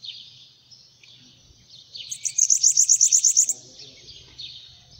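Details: Sitting on someone's hand, a bananaquit gives one quick, high-pitched run of about ten crisp ticking notes. The run follows wispy, sibilant notes, and faint handling noises and a low hum come after.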